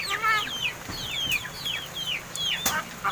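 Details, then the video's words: Seven-month-old pet crested mynas practising speech: a quick series of clear falling whistles, each about a third of a second, with a sharp click near the end over low room hum. "MARTINEZ BIRD TALKING!"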